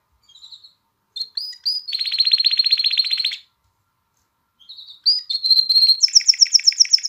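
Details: A canary sings to stimulate females for mating and encourage chicks to sing, giving short whistled notes leading into a fast rattling trill, a silent gap, then whistles and a higher rapid trill.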